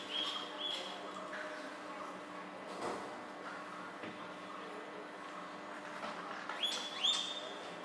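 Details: Common mynas chatter in a eucalyptus tree while preening after a heavy downpour in Bangalore, August 2021: clear, high whistles open and close the passage, with scattered harsh clicks and gurgling notes between, over steady background hiss.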